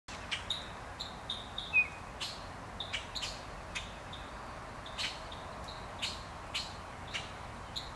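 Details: In a Canadian forest in Ontario, common grackles protecting their eggs and young mob a crow with harsh, abrupt chack notes roughly every half second, over a steady background hiss.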